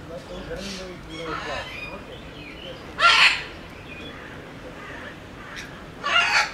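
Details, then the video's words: A Sulphur-crested Cockatoo (Cacatua galerita) at Belgrade Zoo gives two harsh, broadband screeches about three seconds apart over soft background chatter and voices. "Žutoćubi kakadu│Sulphur-crested Cockatoo"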